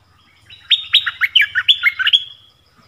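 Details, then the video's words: Decoy yellow-vented bulbul singing to lure wild birds on 20 March 2021: a rolling, bubbly string of about ten rapid liquid notes over a faint low hum. "เสียงต่อนกดอกแตง Ep.37 นกป่าถึงกับ งง!! Burung merbah kuning"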